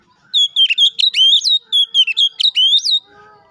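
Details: Oriental magpie-robin in full song, used to call a rival and provoke another bird to sing: rapid high whistled phrases with sharp upslurs and downslurs, densely packed for about three seconds, a few softer low notes after.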